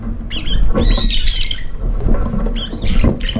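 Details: Several brown-eared bulbuls crowding a feeder and fighting each other over food: loud harsh, rasping squawks in two bursts, the first a long grating screech, with scuffling noises between.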